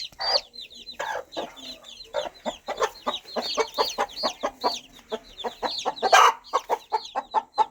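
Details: Mother hen calling her chicks with steady, gentle clucks in a fast, even series, nearly three per second, amid a constant chorus of high, sweet chick peeps. One harsher, louder note is heard near the end.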